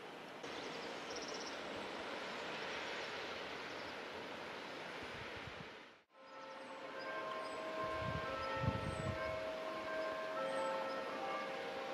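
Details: Broadband rumbling noise, like a passing train or strong wind, fills the recording, with steady tonal hums after a brief break and no animal calls.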